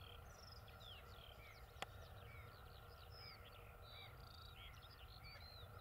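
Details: A flock of black-bellied sandgrouse (Pterocles orientalis) on the steppe of La Mancha, Spain, gives many short, high, curving chirps that overlap continuously, over a steady low rumble of wind and a single sharp click.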